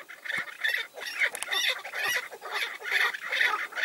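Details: Chorus of chukar partridges around a tethered decoy bird as wild males arrive: rapid, grating chuk notes repeated more than twice a second, rising and falling in loudness.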